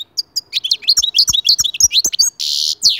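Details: European goldfinch (Arabic maqnin) song played to encourage other goldfinches to sing: fast, twittering high notes with liquid chirps and a buzzy, rasping trill near the end, densely packed with almost no pauses.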